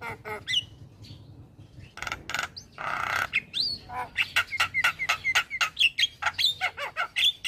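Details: Male Javan myna in full song, used to spur other mynas to sing: scratchy squawks and a long harsh rasp lead into quick, rhythmic chattering pulses laced with short sharp whistles, above a low background hum.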